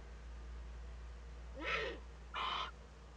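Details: Young Eurasian eagle-owl in a nest in northern Rhineland-Palatinate, Germany, filmed on 15 May 2013 during its first contact with another owl. Two harsh, broad, hissing rasps about 0.7 seconds apart, over a steady low hum.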